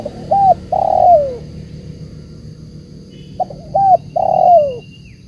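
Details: Tekukur, a dove, giving its call: two sets of hollow coos, a short note then a longer one sliding downward, repeated about three seconds apart, with a faint high whine in the background.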